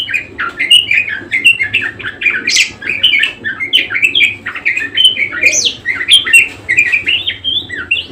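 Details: Parkit or kesturi, the budgerigar, in vigorous nonstop song: a jumble of chirps, squeaks and buzzy trills tumbling up and down in pitch, with occasional sharp high clicks, steady low background hum.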